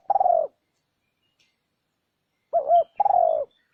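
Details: A lure recording of a spotted dove, for attracting wild doves: a long rough falling coo ends one phrase, a pause follows, then a fresh double coo and another long purring note.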